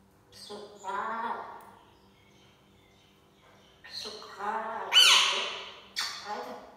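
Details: Pet African grey parrot talking, repeating SubhanAllah: speech-like voiced phrases with a pause between them, then a sharp squawky note at the end.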